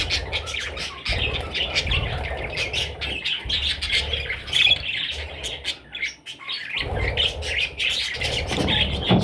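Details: Parrot chicks squawk and chirp in high, raspy bursts that pause briefly and then resume. Knocks and a low background rumble are heard throughout.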